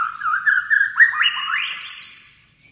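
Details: Rousing, multi-voiced song of a white-rumped shama: a warbled whistle followed by several quick upward-sweeping notes, each rising higher, ending on a thin high whistle that fades out.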